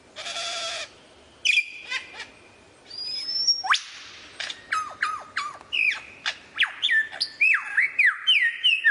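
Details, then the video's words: Rich, varied lyrebird song: a buzzy harmonic burst, a rising whistle, a sweeping upslurred note, then a long string of loud, clear whistles that drop and bend in quick succession. "suara variasi burung lyrebird"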